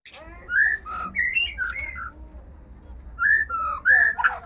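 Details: White-rumped shama in breeding condition ('murai birahi'), singing clear whistled phrases in short bursts, each a few rich notes sliding up and down, separated by brief pauses over a quiet low hum.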